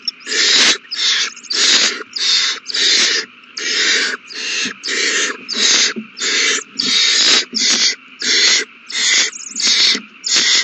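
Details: Begging owl chicks during a big feeding, several young eating, recorded 27 March 2020: a rhythmic series of about fourteen short, raspy hissing shrieks, evenly spaced and equally loud throughout.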